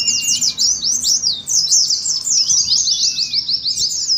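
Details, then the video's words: A flock of Oriental white-eyes singing ngeriwik for a training and contest simulation: fast, high, sweeping chirps pour out in a continuous tangle, with a short descending whistle near the end. "TERAPI PLECI NGERIWIK , PANCINGAN PLECI NGALAS"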